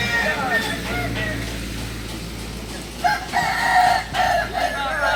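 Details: Kukuak Balenggek roosters, an ornamental chicken native to Solok, West Sumatra, at a joint practice contest; overlapping stepped crows with wavering harmonic bands, a fainter crow early and a louder series of short rising-falling segments after three seconds.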